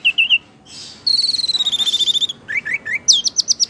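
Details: High piping notes, then a long rapid buzzy trill, then a run of short slurred chirps from an orange-headed thrush singing hard in the playful ngeplay style.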